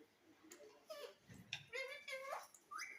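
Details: Pet parrot indoors in a small room giving a run of short, nasal, harmonic squawks and chattering notes, some bending upward at the end, separated by brief quiet gaps over three seconds.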